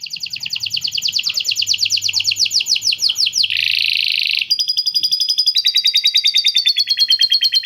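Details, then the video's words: Long canary song with lovebird ngekek fill-in, very clear: a sustained rapid trill, a harsh buzzy roll lasting about a second, then more quick, even trills at high pitch. "Kenari Gacor Panjang Isian Lovebird Ngekek PALING JERNIH⁉️ Canary Singing"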